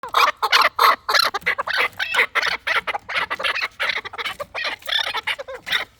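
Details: Fighting chukar partridges calling: a dense, rapid string of harsh, broadband clucking notes, about three a second, loud and continuous throughout.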